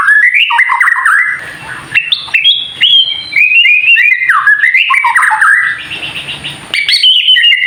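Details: A White-rumped shama's kretekan song, meant to stir other birds to sing: stepped whistled phrases climbing and dropping quickly, broken by short rattling bursts, over a thin constant high tone.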